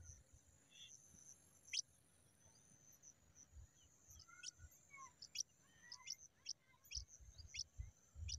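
Pipit chicks give sharp, high, rapid chirps about every half second. A steady insect hum and soft notes from other birds sound behind them.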